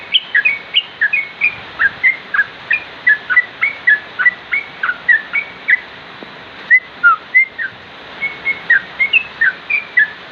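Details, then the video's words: Sooty-headed bulbul, known locally as trucuk, in a long series of brief whistled slurs, some falling, some rising, delivered rapidly in clusters with a short pause midway; a couple of soft knocks in the background. "Burung trucuk"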